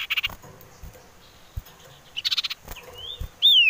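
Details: Female common iora calling in the wild, used as a lure for other birds: short buzzy chattering bursts, then a rising whistle and a loud, sweeping whistled note at the end.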